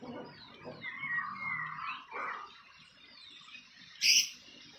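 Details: Wild fantail at its nest: a series of thin, high whistled slurs, each sliding downward, given about five times over a few seconds, with a quieter murmur below and one sharp loud chirp near the end.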